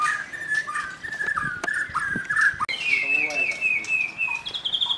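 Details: Young forest white-rumped shama with a loud voice, singing varied whistled phrases, then a long sustained high whistle gently rising, with faint lower chatter beneath.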